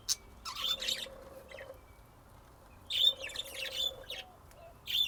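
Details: Budgerigars in Texas, USA, chattering in two bursts of bright high chirps, accompanied by a soft, steady lower hum-like tone beneath them.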